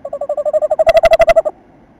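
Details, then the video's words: Male tawny owl visiting the nest site on 27 December, female outside the entrance, gives a rapid, even trill of about fifteen soft notes in a second and a half, growing louder then stopping abruptly. "MALE TAWNY OWL NEST VISIT"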